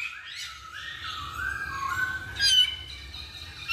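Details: Masked laughingthrush singing a chain of smooth, drawn-out whistles that slide gently downward, broken by a brighter sharp note near the end.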